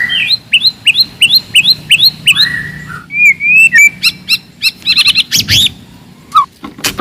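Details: Loud, aggressive forest white-rumped shama song used to rouse rivals: a quick run of repeated upslurred notes, then a wavering whistle, then rapid clipped notes and a brief harsh burst.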